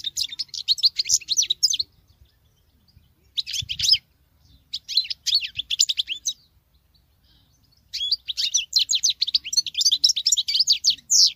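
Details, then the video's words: Female European goldfinch singing like a male: bursts of rapid, twittering, high-pitched notes in phrases of about two seconds, separated by short pauses, with no other clear sounds. "Femelle chardonneret qui chante que le mâle l c'est bizarre !!!"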